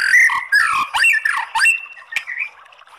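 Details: White-rumped shama giving crackling 'kretekan' song with long bursts, used to provoke other shamas into singing: harsh squawky notes and quick sweeping whistles, a sharp click, then a thin steady whistle fading out.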